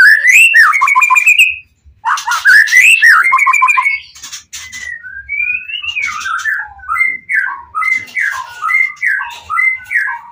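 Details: White-rumped shama in full, agitated song meant to provoke other shamas into answering: loud slurred whistles and rapid rising trills near the top, a brief pause, then a run of short, evenly spaced, bouncing whistled notes.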